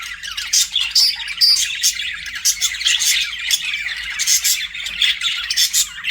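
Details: A group of pet budgerigars chatters steadily, with rasping warble underneath and repeated sharp chirps and short whistles rising above it.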